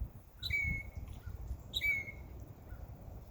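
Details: Birds in a backyard in summer: two separate bright, downslurred chirps about a second apart, over a soft low background rumble.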